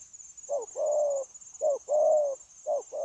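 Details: Newly caught wild spotted dove, kept caged for dove trapping, giving its 'gù' coo on 9 January 2024: low, hollow coos in short pairs, a brief note then a longer drawn-out one, with a steady high insect whine behind.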